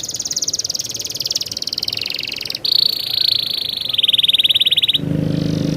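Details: Canary singing a rolling song: sustained fast high trills that shift to a piercing steady tone, then stop; a lower buzzy hum follows at the end.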